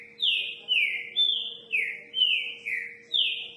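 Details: Seven bright descending whistles from a green-winged saltator of the 'repetidor de notas' type, spaced about half a second apart with alternating pitch levels, over a quiet constant hum.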